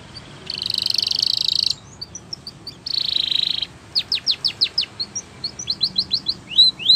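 Spanish Timbrado canary singing long, metallic, rattling trills, then a fast run of sharp downslurred notes and quick rising chirps, several per second.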